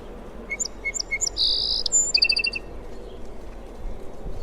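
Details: Sparrow calling with quick high chirps, a few thin notes, then a brief buzzy burst and a short run of clipped repeated notes, over a steady low background hum.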